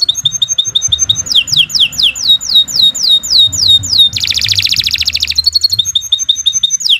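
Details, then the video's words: Canary song used as a master recording for training caged birds: long loud series of repeated high sweeping whistles, a fast buzzy trill midway, then more rapid repeated notes. "Kicau Burung Kenari 91 II GACOR PANJANG Cocok untuk Masteran"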